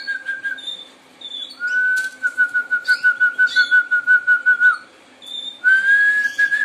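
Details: Harz Roller canary singing a low, steady rolling tour that holds one pitch. Pulsed trills rise to a long smooth roll lasting about three seconds, then a pause and a new rising roll. Faint higher chirps sound in the background.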